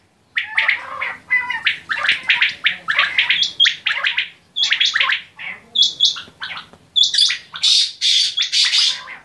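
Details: Batair quail calling steadily in a long, fast string of clipped, scratchy chirps, with high thin whistles growing more frequent toward the end.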